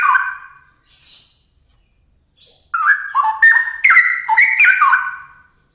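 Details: Straw-headed bulbul in energetic song: a short rich phrase opens, then a silent gap, then a long rollicking run of loud, mellow, warbled notes jumping up and down in pitch.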